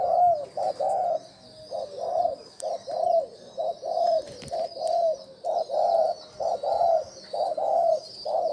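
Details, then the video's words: Spotted dove giving a decoy cooing call meant to excite wild doves: a busy run of short, loud, low hooting coos, about a dozen in eight seconds, broken into uneven groups, over a faint high hiss. "Tiếng chim cu gáy gù gọi hay cực chất dùng kích bổi gù kich mồi"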